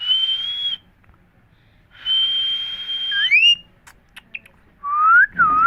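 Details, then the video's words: Indian parrots talking, repeating 'Mithu Miya Mithu': two long steady high whistles, the second ending in a quick upward slur, then a rising whistle repeated near the end, with scattered clicks. "Indian parrots talking Mithu Miya Mithu parrots sounds"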